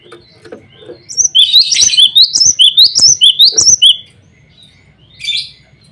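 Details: Male cinereous tit calling out to rivals and females: a steady three-second series of bright, ringing whistled notes repeated evenly, followed by a brief softer buzz, with faint clicks in the background.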